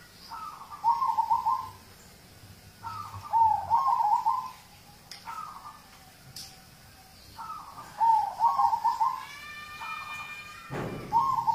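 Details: Prompting audio of a local zebra dove: a series of trilled coo phrases, each beginning with a higher note and breaking into a quick fluttering run, repeated every two to three seconds, with one loud thump near the end.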